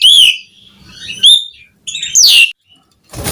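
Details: Asian pied starling in full song, used as a lure for other starlings: a few separate high whistled and slurred notes with short silent gaps, ending in a burst of noise.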